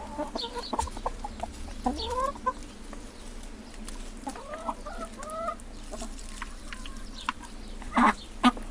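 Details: Chickens clucking softly: short low murmurs and a few curving, slightly rising notes scattered through the clip, over a steady low hum, with two sharper bursts near the end.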